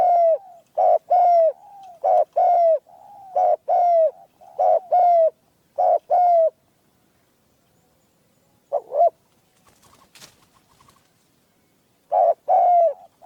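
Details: Caged spotted dove used in hunting, with a clear, small voice. It gives a long run of evenly spaced short-long coo phrases, then a pause with faint clatter and a few scattered coos near the end.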